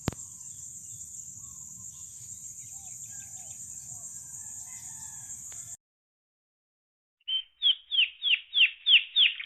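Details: Birds singing on a farm: a steady high insect-like hiss with faint scattered chirps, a pause, then a bird's series of six or seven sharp, falling whistled notes repeated in quick rhythm.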